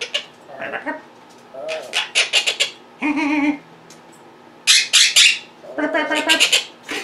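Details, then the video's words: Pet monk parakeets, vocal at home as their owner edits on a computer, alternate high shrieks with lower harmonic, speech-like squawks in dense, uneven bursts. "Quaker Parrots Being Very Vocal and Mimicking"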